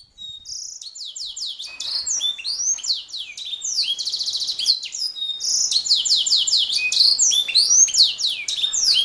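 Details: Canary singing nonstop, used as a master recording for tutoring other songbirds: rapid, high sliding whistles and downward sweeps, with a buzzy rattling trill near the middle, starting softly and growing louder.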